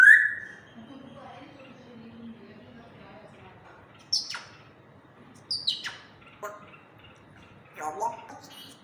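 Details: African grey parrot talking in a happy mood: opens with a sharp rising whistle, then soft murmured tones and several abrupt clicking squawks spaced across the middle and end.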